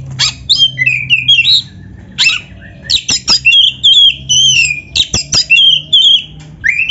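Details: Energetic black-breasted kacer song used to train and provoke other birds, with canary-like fills: sharp high bursts alternating with bright, sliding whistles and short buzzy trills, steady and almost unbroken.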